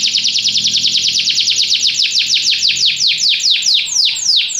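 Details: A canary sings a long series of high, downward-sliding notes, at first rapid, then gradually slowing into broader, more spaced swoops.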